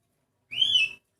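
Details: Sooty-headed bulbul whose voice differs from typical individuals, giving a single half-second slurred whistle that rises then eases downward, with quiet surroundings.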